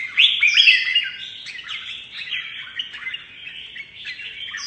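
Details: Red-whiskered bulbul, a mutant bird, in competitive song: loud rich warbling with quick up-and-down slurred whistles, strongest in the first second, then a steady rambling flow of notes.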